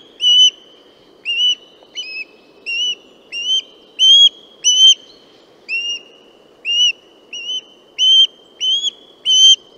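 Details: Western osprey calling insistently: a long string of sharp, piping whistles, some paired or broken, given irregularly about every half to one second. The background is otherwise quiet.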